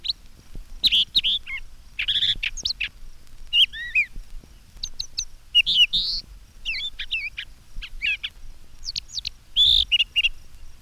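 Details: Brown thrasher singing a monologue from a treetop, head up, repeating some phrases in pairs; varied short phrases of slurred, whistled and harsh notes separated by brief pauses, some phrases doubled.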